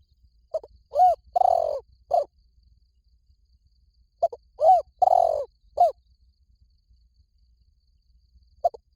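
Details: Spotted dove call used as a lure for attracting doves. Low, mellow cooing phrases of four or five notes, each with a long drawn middle coo, are given twice about four seconds apart, with a short note at the end. The background is quiet.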